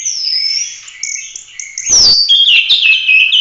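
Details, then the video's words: Oriental magpie-robin in loud chatty song meant to train other songbirds; a long high whistle gliding down, softer warbling, then a sharp click and a loud run of descending whistled notes. "Kacer gacor ful roll tembak cocok buat masteran"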